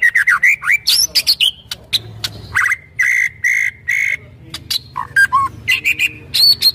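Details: White-rumped shama song used to provoke other birds: a dense run of varied whistles, rising and falling slurs and sharp clipped notes, with brief pauses and some higher buzzy notes near the end.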